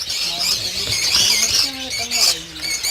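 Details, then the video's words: Breeding-farm lovebirds, 800 pairs, keep up a shrill, crowded chatter while a man speaks in the foreground, his voice lower beneath the birds' high squeaks. "Lovebird 800 Breeding Pairs Farm"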